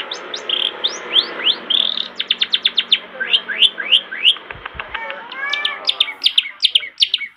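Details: Long-tailed shrike song recorded as a master for young birds; varied rising whistles, a fast burst of clicky ticks and buzzy chirps, over noticeable background noise with a couple of low thumps.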